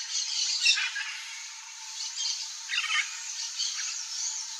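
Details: Blue-and-yellow macaw (Ara ararauna) eating a ripe mango in the Brazilian Cerrado, giving a few harsh, grating squawks over a steady high hiss of background insects.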